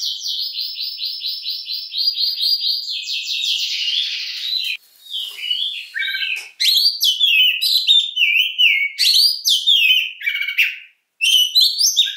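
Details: Oriental magpie-robin, kacer, singing a long-shooting song: about two seconds of fast repeated identical notes, a buzzy run, then varied clear whistles and chattering phrases with brief gaps.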